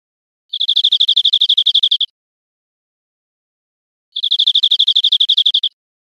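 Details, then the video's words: European Greenfinch singing in Spain, 2013: two fast trills of even, bright chirps, each about one and a half seconds long, separated by a silent pause of roughly two seconds. "Canto de Verderón"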